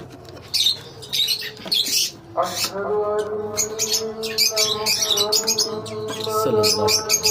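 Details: Intermittent bursts of sharp, high chirps from colony lovebirds, growing into steadier chatter, with a faint hum and some softer background noise.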